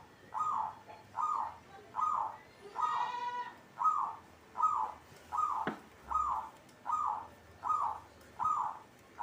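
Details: Perkutut, the zebra dove, sings a rapid row of rounded coos, each a brief burst at a regular tempo. A short wailing, harmonic-rich animal cry cuts in near the third second, and a sharp tap follows later.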